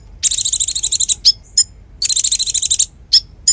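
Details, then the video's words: Lively Konin song, a model for magpie robins and fighting doves: two rapid rattling trills of about twelve harsh pulses, each followed by short sharp chips. "Masteran Konin Gqcor Nembak Full isian Buat Isian Buring kicau"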